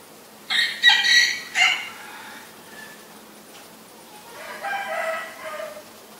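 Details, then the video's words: Common myna recorded in Ubon Ratchathani, Thailand, on 20 March 2022 with a Nikon P1000: three loud, raspy, squawking bursts in quick succession, a pause, then a softer gurgling, grating phrase. "นกเอี้ยงสาริกา (Common Myna)"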